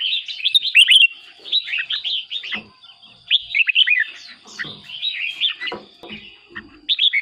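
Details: Red-whiskered bulbul song used as a decoy or played to excite caged birds: bright, bubbly whistled phrases in quick clusters with short pauses, over a steady thin high-pitched whine.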